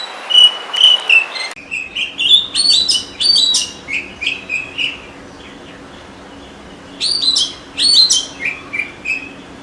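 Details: In the forest an Oriental magpie-robin delivers a rich run of quickly varied whistles and chattering notes, pauses for a few seconds, then resumes with another burst of bright, slurred phrases.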